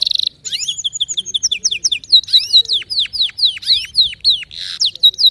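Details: Canary song made of fast trills and repeated descending whistled notes, rolling phrases changing every second or so, loud and clear throughout.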